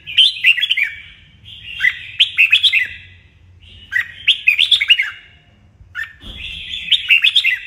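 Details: Captive red-whiskered bulbul in morning song training, singing bright, bubbly whistled phrases about a second long, repeated every two seconds or so, with a low hum underneath.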